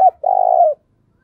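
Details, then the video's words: Spotted dove giving a 'thúc bổi' call meant to stir a decoy bird. A brief low note is followed by one throaty, rolling coo of about half a second, steady in pitch and ending abruptly. "tiếng cu gáy thúc bổi căng lửa nhanh nổi"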